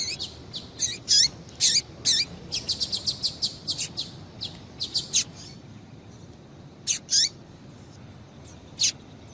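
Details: Female double-collared seedeater piping for exciting males: a dense run of rapid high chirps for about five seconds, then a pause and a few more spaced notes, over soft hiss.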